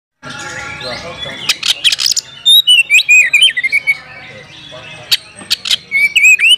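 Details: Oriental magpie-robin calling a rival to fight: after a noisy start, loud whistled notes and rapid chattering phrases rising and falling, with sharp clicks between.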